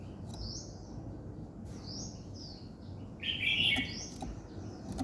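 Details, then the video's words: Morning birdsong of spaced high whistled chirps, then a loud buzzy, harsh outburst, with faint clicks and a soft low hum underneath. "Buổi sáng nghe chim hót chơi"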